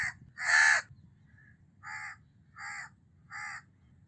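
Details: A house crow gives one loud, rasping caw, then three softer caws at even intervals of about 0.7 seconds, with a faint brief note in between and low background hum.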